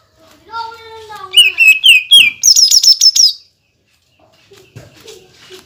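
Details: Greater green leafbird song aimed at provoking other leafbirds: soft drawn-out tones lead into rapid repeated whistles that jump higher into a fast, shrill trill, then faint scattered chips after silence.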